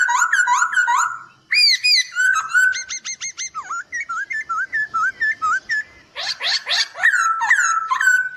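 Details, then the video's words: Chinese hwamei master song for training songbirds: a rich, varied run of loud whistled phrases, slurred upward and downward notes, quick repeated chips and rapid bright trills, changing pattern every second or so. "Masteran Poksay Hongkong Gacor"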